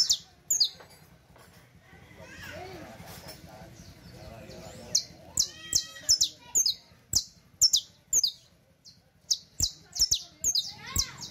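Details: Creole canary, the saffron finch, singing a teaching song: a brief sharp opening, a softer warbling stretch, then a long run of loud, high chirps repeated about twice per second at an uneven pace.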